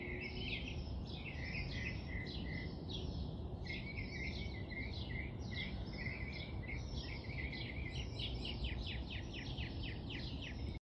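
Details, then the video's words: A robin sings in the morning, a continuous run of high, warbling, variable phrases ending in a quicker repeated trill, over a steady low rumble of background noise. ""The Birds Are Still Singing" says the Robin"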